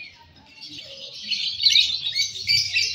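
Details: Lovebird singing during a contest, Balibu class: a brief burst of shrill, scratchy chatter that grows louder over three seconds, with faint low murmuring behind.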